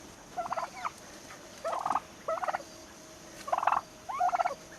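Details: Turkeys raised to almost six months old gobble in five rapid, pulsing rattles, each about half a second long, with short gaps between.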